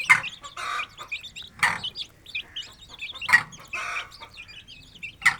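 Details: Aseel chicks in an open village yard, feeding and playing beside their mother hen, peep in high, thin chirps, joined by soft hen clucks and broad scratchy bursts every second or so.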